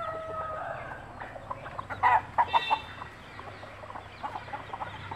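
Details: Mother hen clucking to tell her chicks the food is good to eat. Low murmured clucks are broken by a few loud, sharp clucks in the middle, over a constant low hum.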